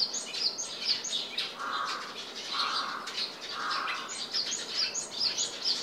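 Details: Japanese tit recorded on 29 January 2023 at a home, giving thin, high chipping notes in quick irregular series, with three lower, husky buzzing notes about a second apart midway; the background sound was replaced.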